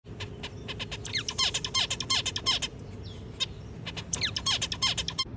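A zebra finch sings a rapid, buzzy series of high chips and nasal notes.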